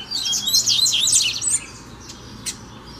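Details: Double-collared seedeater, free bird challenging a caged male: a loud, rapid one-and-a-half-second burst of high buzzy chirps, then near silence broken by two brief clicks.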